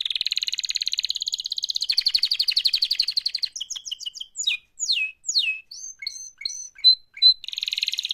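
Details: Active canary mating call: a long rapid high trill, then varied downward-swept whistles and short chirped notes spaced about half a second apart, before another fast rolling trill begins.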